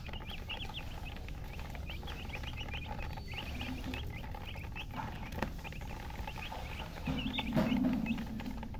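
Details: Chicken chirping in rapid runs of short, high, slightly falling notes, nearly four per second at times, amid steady background noise and a brief louder low sound near the end.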